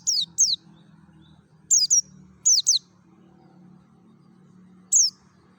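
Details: Mountain white-eye (pleci dakun) from Merapi singing wild 'ngalas' notes, used as a lure. Paired high, sharply descending chips are repeated in quick doublets, ending with a single note. A faint steady hum sits beneath.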